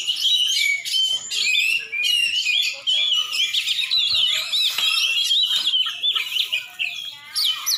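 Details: Oriental magpie-robin, a champion bird from Aceh, singing a long, unbroken stream of loud whistles, twittering trills and harsh chips, with a few short gaps between phrases.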